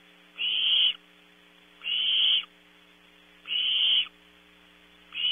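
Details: At 3 a.m. in a California nest box, Barn owl young at Audubon Starr Ranch compete over delivered prey. Scratchy, drawn-out hisses of about half a second repeat every one and a half seconds above a quiet hum.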